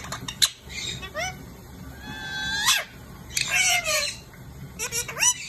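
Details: At lunch time an Indian ringneck parakeet utters drawn-out, whining squeals that bend downward, mixed with sharp clipped notes, several loud bursts separated by quieter stretches, steady hum behind.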